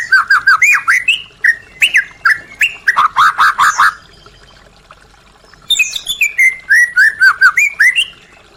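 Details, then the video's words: White-rumped shama song aimed at restarting silent caged birds: two long bursts of fast, loud whistled notes and rattling trills separated by a pause of about two seconds. "Pancingan murai batu macet bunyi | Suara asli murai batu"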